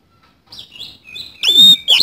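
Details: Oriental magpie-robin song in the 'isian kasan' style, beginning with soft, thin whistled notes, then a sudden loud, clear whistle and a final sharp note.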